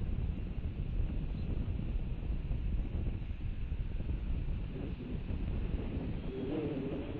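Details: Steady low rumble of wind and distant traffic fills the recording from start to finish, with no animal calls heard.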